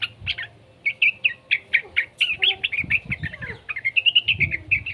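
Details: Juvenile yellow-vented bulbul, its voice played to prompt other bulbuls into song. It gives a series of bright, clipped chirps about four per second, some rising and twittering. Faint wing flutters and soft thumps sound in the background.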